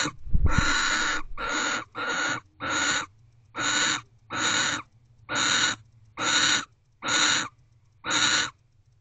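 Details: Barn owl at a nest box at night, shortly after 12:44 am on 29 December 2023, as the male returns and mates with the female: harsh hissing screeches repeated about once a second, each rasping burst lasting under half a second.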